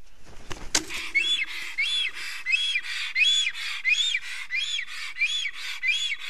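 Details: Black stork at a nest in Karula National Park, southern Estonia, 2021, filmed by a nest camera: a brief knock, then a steady series of arched, wheezy whistles, about one and a half per second, with hissy overtones.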